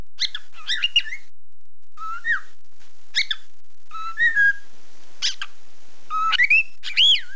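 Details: Caged pet budgerigar singing at its mirror, February 2008: chattering warble of clicks and chirps mixed with clear rising and falling whistled notes, delivered in short bursts separated by brief silences.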